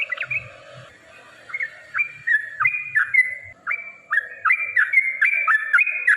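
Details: Yellow-vented bulbul singing to provoke rivals, used as a lure: fluty stepped notes, each rising then levelling off, repeated about three per second in an uneven lively series, with a faint low hum.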